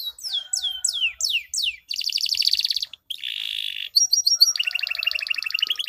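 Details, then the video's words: Canary song played to coax silent canaries: repeated downward-swept whistles, a dense buzzy trill, a low churring roll and a bright rapid trill, all in quick succession. "Pancingan Ampuh Kenari Macet Bunyi" ~cuit cuit sambung ngerol durasi panjang"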